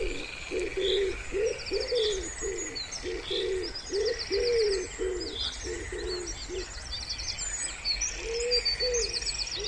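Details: Wood pigeon at a pond in spring cooing steadily: a long sequence of deep, throaty hoots in rhythmic phrases for about seven seconds, pausing, then resuming. Thin trills of small birds sound faintly higher up.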